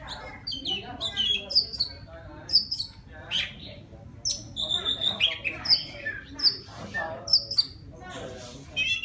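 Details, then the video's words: Forest Oriental magpie-robin singing for a female: lively, varied phrases of crisp high whistles, quick trills and downslurred notes, coming in bursts with short gaps. A faint low murmur is heard beneath. "Tiếng choè than rừng hót gọi mái"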